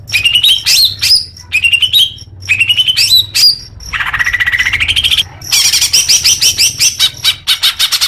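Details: Greater green leafbird song for prompting caged birds to sing: varied fast phrases of rising whistles and chips, a long upward-sweeping note in the middle, then a quick run of sharp chattering notes.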